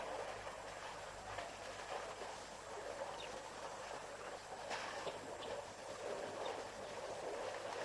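Even, hissing outdoor background noise, like flowing water or distant traffic, with a few faint clicks and no clear animal calls.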